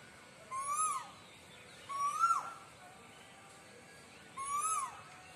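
A cuckoo gives three clear, slurred hoots that rise then drop, spaced about two seconds apart. Faint high twittering sounds with each note.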